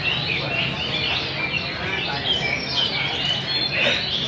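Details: Several caged hwameis compete on a rack, old wild-caught birds singing and dancing; loud overlapping whistles, slurred notes and trills pour out continuously with no pauses.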